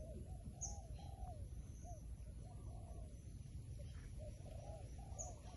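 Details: Wild pigeon cooing in rounded, swelling notes in short bunches across the recording, faint thin high chips above, masked partly by a constant deep hum.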